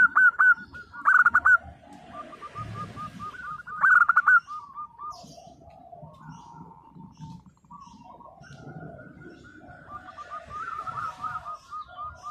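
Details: Local zebra doves in chorus: two loud, rippling bursts of rapid coos stand out early, then many softer overlapping coo phrases from other birds continue over low rumbling noise.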